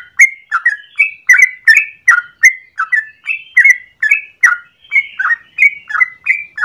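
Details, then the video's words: Yellow-vented bulbul in the morning, singing a long, rapid, continuous 'ropel panjang' song used as a lure or master for training birds. Bubbly whistled notes rise and fall, coming almost three per second in an unbroken chattering run. "Trucukan gacor ropel panjang pagi hari"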